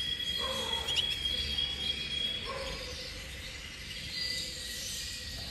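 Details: Intense cobalt copper canary producing a thin, pure high whistle held level for over two seconds, followed by softer fragments, with quiet background noise throughout.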